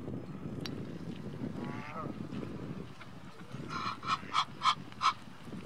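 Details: A male Egyptian goose gives its alarm call, a run of about four loud, harsh honks in under two seconds, over a steady low rumble, at Rombergpark, Dortmund, on 16 March 2012.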